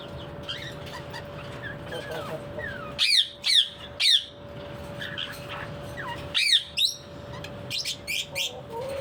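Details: Parrot giving loud, hoarse squawks singly and in pairs, separated by pauses and quieter squeaky notes, with a constant low hum in the room.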